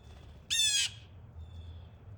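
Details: Blue Jay at a snowy backyard feeding spot on Christmas Eve morning, December 24, 2024, among jays that always fight with each other. One harsh, buzzy squawk lasting about a third of a second, then near quiet with faint low rumble.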